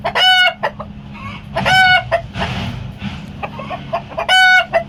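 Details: Bielefelder hen's egg song on a farm, a hen about to lay or having laid: three loud, harsh, stacked squawks about two seconds apart, with quieter clucks between, over low farmyard noise.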